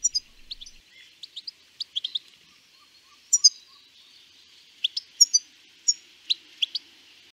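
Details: European goldfinch in Denmark singing a rapid, tinkling string of high twittering notes and liquid trills in quick bursts, with short pauses between phrases.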